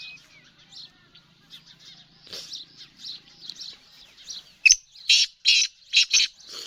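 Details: Female black francolin: a sharp onset followed by five grating, hoarse notes in rapid series, preceded by many soft chirps and whistles from other birds.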